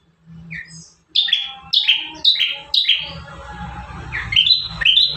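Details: Bar-winged prinia singing as a training master for caged birds: a quick series of high, buzzy, down-slurred double notes, about two per second, followed by a rising, fainter phrase over some background hiss.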